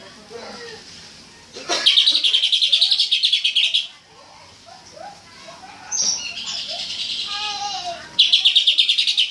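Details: Cucak ijo, or greater green leafbird, singing tembakan song: three bursts of fast, high, machine-gun-like repeated notes, separated by soft, low, sliding warbles.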